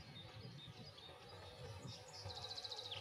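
A white wagtail gives a quick run of thin, high chirps near the end, after a few faint notes, over a steady low rumble.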